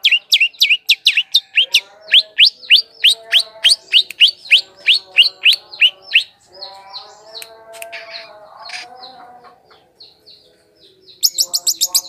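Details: Long-tailed shrike lure song for attracting wild birds: a long rapid string of bright downslurred chips, about four a second, then softer chattering warble, ending in a burst of quick high notes.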